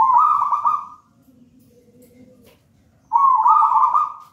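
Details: Local wild-bred zebra dove from a raja banana plant nest, giving its persistent manggung song for training other birds: two strong trilled coos separated by a quieter low humming stretch.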